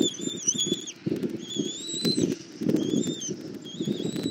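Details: At a Southwest Florida bald eagle nest on a February 2024 morning, the mother eagle feeds her chick: repeated thin high whistles, each held under a second and slightly rising, alongside loud low rustling and tearing thumps.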